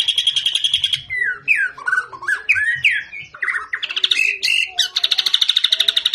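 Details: Murai batu, a white-rumped shama of fighter style, with a brisk burst of rapid high repeated notes, then tumbling slurred whistles and downward sweeps, closing with another fast repeated chatter of sharp notes.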